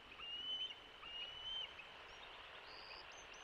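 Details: At the West End bald eagle nest on Catalina Island, California, on 3 June 2024, late in the day as a fledgling returns and is driven off by its sibling: thin, high, level whistles, two drawn-out notes about a second apart, then fainter short chirps, over steady hiss.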